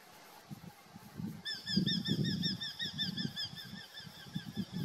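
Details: Eurasian hobby in a dispute over a food delivery: a fast series of sharp, high, squealing notes repeated about three times a second, over low rumbling and knocking noises.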